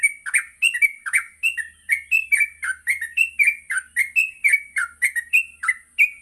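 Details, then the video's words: Yellow-vented bulbul pouring out rapid morning song to train other bulbuls: regular, fast sequence of short bubbly notes, about three per second, without pause. "Pancingan Pagi burung trucuk Gacor sangat cocok untuk melatih trucuk belajar bunyi dan ngropel"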